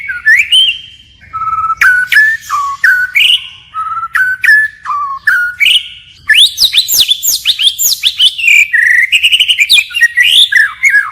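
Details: White-rumped shama singing forest-voice phrases in continual variation: spaced clear whistles, some level and some rising, then a fast dense stream of sharp, upward-flicked notes.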